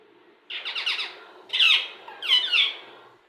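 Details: Talking Indian ringneck parakeet mimicking words: three harsh, buzzy speech-like phrases, the first a rapid pulsed chatter, the next two louder squawky syllables, in a quiet room.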